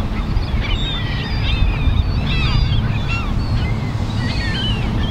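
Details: Gulls at Kingston Bay calling over the water: several overlapping high, squealing mewing cries with falling and rising slurs, over loud rumbling surf and wind.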